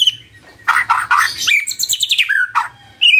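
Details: Morning song of a magpie-robin used as a lure for a quiet bird: harsh scratchy chattering notes mixed with high squeaky warbles and a short clear falling whistle, ending in a rising whistled note.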